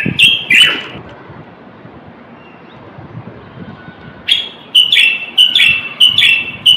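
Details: Male Moroccan common bulbul singing to encourage males to sing and ready females for mating: a couple of bright whistles, a quiet pause, then a rhythmic run of ringing, downslurred notes about twice a second.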